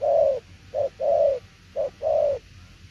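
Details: Low soft cooing of a spotted dove in tiểu liên nước style: a long coo, then two short-long pairs of mellow notes with short pauses between them.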